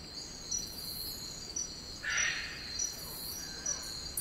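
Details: In Cape York rainforest, Australia, a wild eclectus parrot gives a single harsh, screechy squawk midway, set against constant shrill insect buzzing and faint background ticks.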